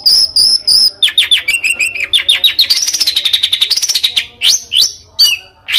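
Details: Competition-bird master song: a few high clear whistles, then descending slurred notes leading into a rapid rolling trill that arcs up and down, finished by sharp upswept whistles.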